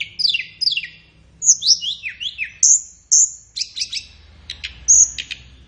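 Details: Flowerpecker song used as a training tutor for captive songbirds, best played in the morning or afternoon. High, thin notes: paired downslurred chips, then sharp whistles and quick ticking bursts, clean with little background.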